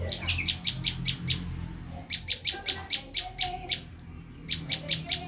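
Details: Bar-winged prinia (prenjak lumut) screaming call for luring wild prinias: quick runs of buzzy chips broken by a short pause, with faint low background rumble beneath.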